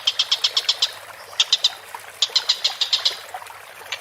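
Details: Collared kingfisher on a masteran recording, calling in short uneven bursts of three to seven hard, clipped notes separated by brief gaps.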